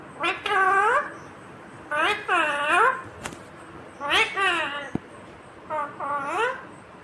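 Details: Green ringneck parrot speaking "mummy papa": four rich harmonic phrases with swooping, rising inflections spaced about two seconds apart, plus a sharp click in the background.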